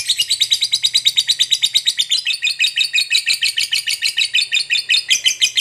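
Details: A fighter lovebird's ngekek panjang, a long chatter intended to provoke rival lovebirds into responding: fast, scratchy, high-pitched chirps repeated steadily, roughly six each second, without a pause.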